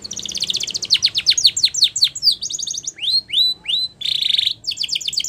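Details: Spanish Timbrado canary song used for training: fast high trills of sharply falling notes, then slower downward slurs rising into clear rolled notes, a dense buzzy burst, and renewed rapid trilling.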